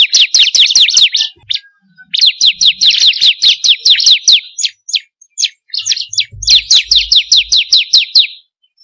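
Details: Bar-winged prinia song for stimulating caged birds: three bursts of rapid, high, repeated downslurred notes, with a scatter of thinner chips between the second and third runs.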